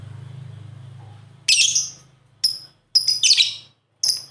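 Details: Pet lovebirds playing and chirping: a low buzzing hum fades at the start, followed by sharp high chirps and thin whistled notes in quick clusters.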